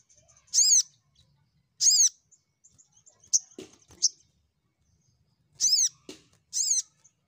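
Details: Crimson sunbird, a lure recording meant to call rivals: sharp, high, harmonic-rich notes, each about a quarter second, given in pairs with pauses, plus a few soft clicks between them.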